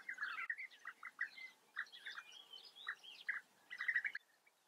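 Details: European bee-eaters at a German breeding colony in the Eifel: repeated rolling, throaty chirps in short bursts, with higher thinner notes from other birds woven between them.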